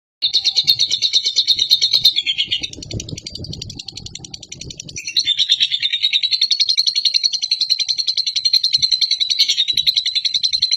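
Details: National champion lovebird giving a long, chatty ngekek song: rapid, shrill, buzzy trilled notes pulsing steadily. The chatter breaks off briefly in the middle under low rumbling noise, then resumes as one unbroken stream.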